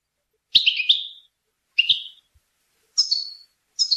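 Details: Goldfinch from Tunisia singing a Rasta Torka style song, delivering four short, bright twittering phrases separated by brief pauses, each a rapid jumble of high chirps with a trailing note.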